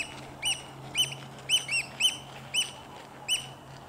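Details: Eurasian oystercatcher, a chick of a pair, giving loud, shrill piping notes, sharp and slightly downslurred, about two per second, over a low steady hum.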